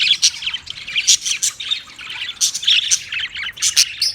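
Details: Budgerigar chirping and warbling rapidly, sharp high tweets mixed with grating squawks in quick irregular succession.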